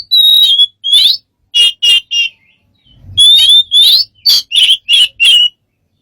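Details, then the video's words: Strange bird sounds: two clear downslurred whistles and squawky chirps, a pause, then a quick series of six to seven harsh, buzzy notes. "smart bird have lost of strange sounds"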